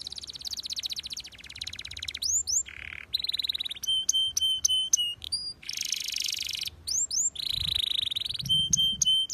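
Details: Canary singing vigorously: rapid buzzy trills, clear high whistled notes repeated in quick ladders, rising upslurs and brief low rattles, changing phrase every second or so.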